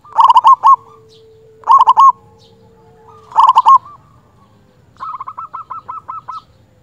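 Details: Local zebra dove singing loudly to call a rival, in an agitated mood: three loud, rapidly pulsed cooing phrases about every 1.5 seconds, then a softer, evenly beaded run of repeated notes.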